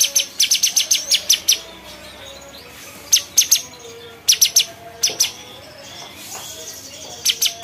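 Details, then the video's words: Bulbul known locally as cucak cungkok delivering a rapid run of crisp, high ticking chirps, then scattered pairs and short bursts after a pause. "SUARA CUCAK CUNGKOK"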